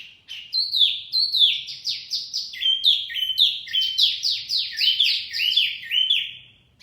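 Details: Wambi song played to lure birds: a rapid, continuous series of bright, downward-slurred whistled notes, roughly three per second, running steadily throughout with no other clear sounds.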